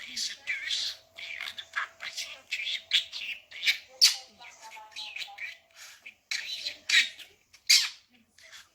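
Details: Caged budgerigar babbling newly learned words, a dense run of buzzy, squeaky high-pitched syllables strung together almost continuously, with a few sharp louder clicks and a low steady hum behind.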